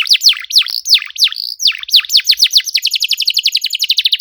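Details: Canary singing to set off other canaries: loud deep swooping whistles with pauses between them, then a rapid accelerating series of short sharp notes.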